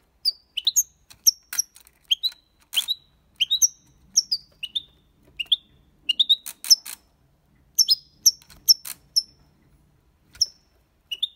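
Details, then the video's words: Goldfinch recording in the Málaga style for teaching young birds: a steady series of separate bright, high tinkling chirps and short two-note twitters, spaced roughly every half second, with a few sharp clicks between. "Cantó de Jilguero (copia malaga ) para Estimular niños pajaros/Chant de Chardonneret élégant"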